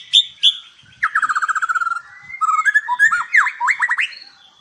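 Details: White-rumped shama at a Palembang breeding farm singing two bright whistles, then a fast even trill of about a dozen notes, then varied rising and falling whistled phrases.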